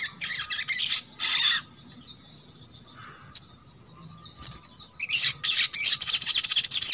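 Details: Sogok ontong, the little spiderhunter, singing to coax others of its kind into song: harsh, high chattering bursts, a pause of soft slurred whistles and sharp ticks, then a long rapid run of piercing chips.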